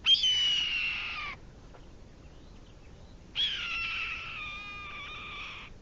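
Two hoarse, raspy screams from a Red-tailed Hawk, each about a second long, dropping slightly in pitch, with a two-second pause between them.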